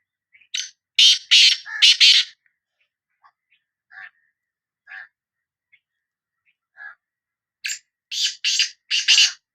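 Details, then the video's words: Sindhi black francolin calling: a burst of loud grating notes, a series of soft, lower nasal clucks spaced about a second apart, then another harsh rasping volley. "Kala Teetar Voice | Black Frankoline Voice کالا تیتر کی آواز"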